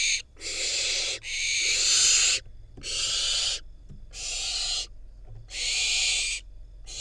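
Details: Wild barn owl fledgling filmed in Israel getting prey from its parents: a rhythmic train of harsh, noisy hiss-screeches, each around a second long, separated by brief pauses, nearly fifty per minute.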